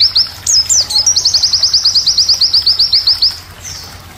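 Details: White-eye tutor song aimed at G12 and G16 classes. A few scattered high twitters lead into a rapid, regular trill of sharp downslurred chirps lasting about two seconds, fading out afterward.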